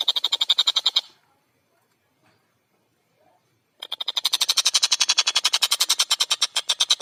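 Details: Long-tailed shrike (tengkek buto) singing actively with a clear voice. A rapid harsh rattle stops, followed by about three seconds of near silence, then a long run of fast, dense, buzzy notes begins.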